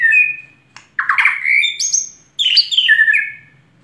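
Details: White-rumped shama in vigorous song, with loud, slightly harsh whistled phrases: a level note, a rough rising burst, then a descending run of bright notes.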